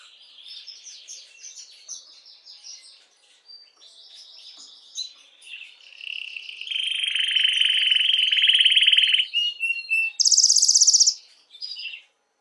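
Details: Canary song for stimulating females to mate, starting with soft jumbled warbling, building to a long loud low rolling trill and a very high buzzy burst, then a few short notes.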